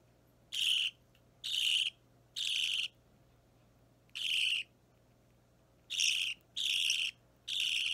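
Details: Hand-fed pet Budgerigar chick around three weeks of age, green or Opaline, filmed 30 March 2017 while restless at feeding; loud raspy begging squawks, each roughly a third of a second, repeated in irregular runs with short silent gaps.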